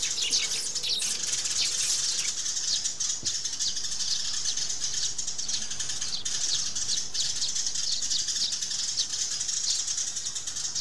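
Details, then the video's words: Over about eleven seconds, a throng of sparrows calling and scuffling keeps up rapid, overlapping high chirps and twitters, with a faint low knock near the third second. "Tiếng Chim Sẻ Gọi Về Và Nhảy - Tiếng Sẻ Cắn Nhau"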